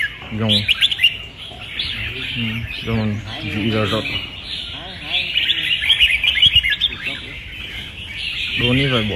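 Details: Caged red-whiskered bulbul in a singing contest, pouring out fast chattering whistled phrases while a man talks nearby at intervals.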